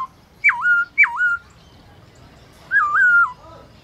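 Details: A black-throated laughingthrush (Garrulax chinensis) sings its forest voice at midday: two sharp whistles swooping down and levelling off, a gap, then a longer undulating whistled note.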